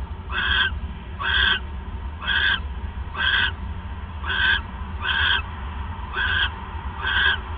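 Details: Owl calling at night, 9:42 PM on December 28, 2014, while the male delivers his third mouse; eight rough, breathy screech bursts come at fairly even intervals over a low background drone.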